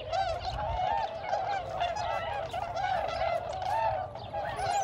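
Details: A huge wild flock of tundra swans, around 1522 birds, gathering during spring migration at the Alymer Wildlife Management Area, Ontario. Countless overlapping mellow, hooting calls merge into a continuous dense chorus, with a low rumble underneath.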